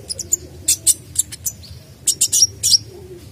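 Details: Lively sunbird in full, varied song, used to coax other birds into singing: quick clusters of thin, very high chips and short sharp twitters, some ending in brief whistled flicks, separated by short pauses over a faint low hum.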